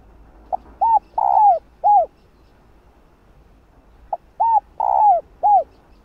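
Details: Hen spotted dove cooing to summon a male. Two identical four-part phrases are separated by a silent pause: a short note, a hollow coo, a drawn-out rough rolled coo, and a final downslurred coo.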